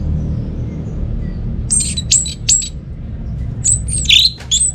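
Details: Orange-headed thrush singing, played to lure silent birds at home into song: a few short, sharp high whistled notes, then a louder burst of slurred, descending phrases near the end over low background rumble.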